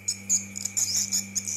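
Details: Swiftlet calls played back, described as colony sound from outside a swiftlet building, meant as a calling sound outside rather than inside: high, thin twittering chirps in quick bursts every few tenths of a second, over a steady electronic hum and tone.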